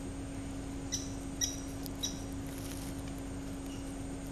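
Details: A male Maroon woodpecker (Blythipicus rubiginosus), while feeding, gives three sharp, high chips about half a second apart, over a steady low hum and a thin, high insect-like whine.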